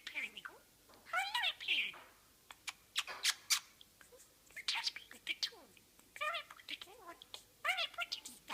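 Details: A hand-reared talking budgerigar from Australia talks in a thin, scratchy, high-pitched voice, with quick mimicked phrases between chirps.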